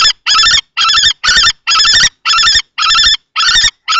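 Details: Common kestrel males fighting for a nest box at Théding, France, 20 March 2024, an older adult against a juvenile-plumaged male. Harsh, piercing 'kee' notes repeat steadily, roughly two per second, with clean gaps between them.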